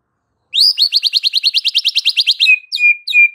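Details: White-rumped shama singing to provoke fighter males: a long rapid series of about fifteen rising buzzy notes, then three downslurred whistles with steady tails.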